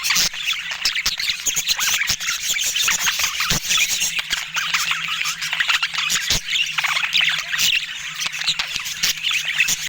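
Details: Pet budgerigars in a busy group: a steady wash of overlapping chattering, squeaks and warbled chirps, with a faint low hum beneath the noise.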